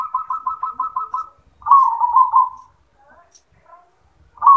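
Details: Zebra dove in 'yoman' style song, opening with a rapid even string of short coo notes, then a longer rolling, burbling coo, a pause, and the start of the next phrase.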